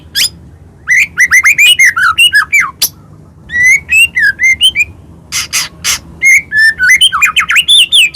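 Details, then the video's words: White-rumped shama from Medan singing a varied provoking song to stir other birds: bursts of quick whistled slurs near the middle register, sharp clicks and brief buzzy noise, separated by short pauses. "murai batu gacor AMPUH buat PANCINGAN murai batu agar bunyi"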